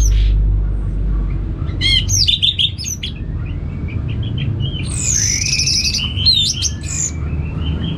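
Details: Orange-headed thrush, a Balinese kept songbird, delivers bursts of sharp chirped notes, then long wavering whistles sliding up and down, dense and varied, above a continuous low hum.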